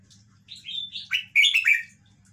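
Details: Caged Red-whiskered bulbul (Pycnonotus jocosus) showing its song style: one bright, liquid phrase of about six quick warbled notes, rising then falling, over a faint low hum.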